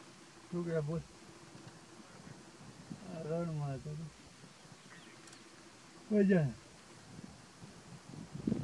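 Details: Greylag geese filmed close up at Little Rann of Kutch, Gujarat, India, in January 2020; three deep, nasal honks with rich harmonics, each about half a second long, separated by quiet gaps over steady low background noise.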